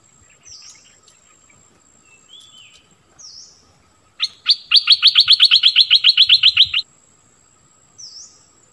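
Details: Decoy bulbul luring wild birds, March 2021: a fast, even string of about twenty sharp repeated notes lasting nearly three seconds, with soft slurred calls before and after.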